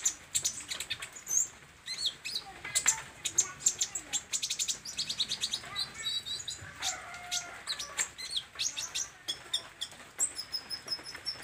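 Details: Vigorous olive-backed sunbird song: rapid, sharp, very high tweets and clicks packed closely together, with short sweeping notes and a few sustained thin whistles near the end.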